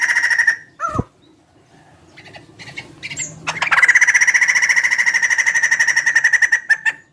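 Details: Large-bodied bird with a distinctive chicken-like voice: a sharp falling note, a pause, then a long buzzy rattling trill at a steady mid pitch, pulsed rapidly for about three seconds before cutting off.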